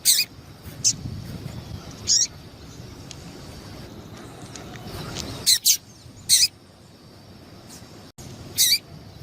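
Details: A female double-collared seedeater gives calls meant to get a male singing: brief high chips, some doubled, spaced by one to three seconds, with a quiet stretch in the middle and low background rumble.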